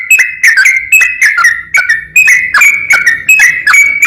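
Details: Yellow-vented bulbul singing the long 'ropel panjang' style used to rouse and provoke rival bulbuls: steady string of short, liquid whistled phrases, each a quick rising-then-dropping flourish, repeated roughly every third of a second.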